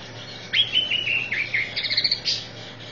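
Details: Training song of a greater green leafbird: a rapid chain of high, slurred whistles and chirps that dip and rise, ending in quick stuttered notes and a sharp upward flourish, with a low background hum.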